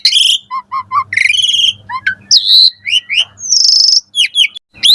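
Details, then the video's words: Asian pied starling in lively morning song, used to train caged starlings: three repeated nasal hoots, a buzzy rattle, then varied whistles and a long bright high note before a rising slur. "Pancingan Jalak Suren Gacor Pagi Hari Ampuh Buat Masteran Burung Jalak Agar Gacor Full Isian Mewah"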